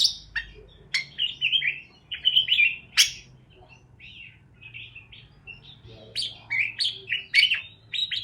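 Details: Parakeets chirping: rapid bright chirps and short warbled notes in quick bursts, a few sharp clicks, with brief quiet gaps between clusters.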